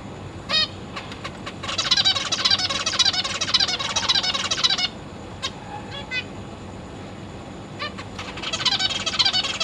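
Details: Zebra finch chicks in a cage being fed by their parents, with juveniles nearby: dense, rapid chattering of nasal calls in two long bursts, separated by a few isolated single calls, over faint low hum.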